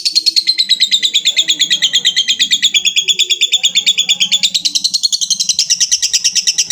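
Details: Long ngekek trill of a lovebird calling out to a rival, a sustained rattling chatter of high buzzy pulses, steady throughout and rising slightly in pitch near the end, with faint low background noise.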